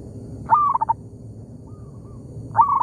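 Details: Local zebra dove answering a decoy bird in an oil palm plantation: a loud rising coo broken into quick stuttered notes, a faint distant coo reply, then the next loud phrase beginning, over low rumble.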